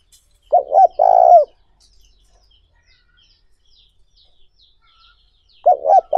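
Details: Lure call of a spotted dove for stirring up other doves: a clear low cooing phrase of two short notes and a long rolling note, then silence, with a second phrase beginning at the end.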